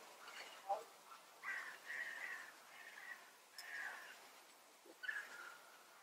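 European bee-eater giving rolling, liquid 'prruip' contact calls in short bursts about every second, some answered by another bird, over a soft outdoor hiss.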